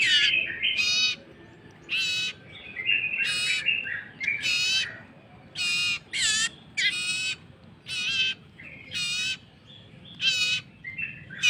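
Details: Hand-fed common iora chick begging: loud rasping squawks in short bursts, roughly one per second, alternating with softer churring notes during feeding.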